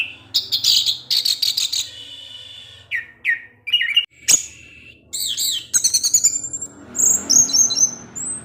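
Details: Orange-headed thrush, a caged songbird, singing a varied string of buzzy rattles, brief whistled slurs and sharp chips, ending in thin high whistles; faint low hum underneath.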